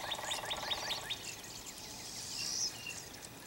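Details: Two big wild turkey gobblers strutting in morning sun while walking in spring snow in north Missouri, close up, giving a quick, rattling gobble of about a second, then quiet with a soft high hiss.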